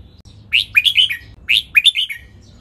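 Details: Red-whiskered bulbul, 'bern' doubled song for training birds: two identical phrases about one second apart, each a rising whistle dropping into three quick liquid notes. Faint low hum.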